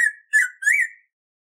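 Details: Black-throated grosbeak (bico-de-pimenta), a bird of the Atlantic Forest, singing a song used to teach and train captive birds: a fading note, then two clear slurred whistles near one pitch over about a second, then silence.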